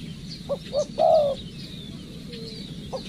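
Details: Spotted dove, a decoy bird under training, giving two short notes followed by one longer falling coo, then a faint note, over a quiet rural background.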